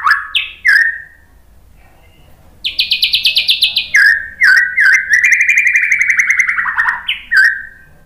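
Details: Murai batu, the White-rumped shama, singing a tutoring song to provoke replies: rich whistles, a high buzzy pulsed trill, then a long lower rattling run of rapid notes with brief loud accents.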